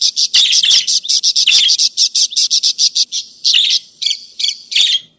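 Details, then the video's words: Budgerigar calls for luring runaway budgerigars or training other birds: busy, rapid chirps with scratchy bursts, slowing toward the end into separate warbled notes. "editan Pikat parkit untuk masteran burung kesturi ( burung baji )"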